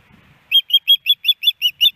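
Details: Female osprey begging her mate for fish at a nest in Hellgate Canyon, Missoula, Montana, on 10 September 2018: eight loud, bright chirped whistles in rapid, regular rhythm after a half second of faint low noise.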